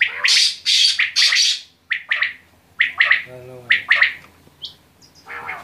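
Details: Quail calling with loud, rasping bursts at first, then spaced chirpy double notes, a single thin high pip and a short, lower, buzzy sound midway.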